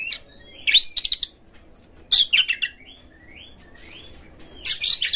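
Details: Lure song of an Oriental magpie-robin for stimulating other magpie-robins to sing, with rough material: scratchy, crackling bursts separated by soft, short rising whistles, ending in another harsh burst.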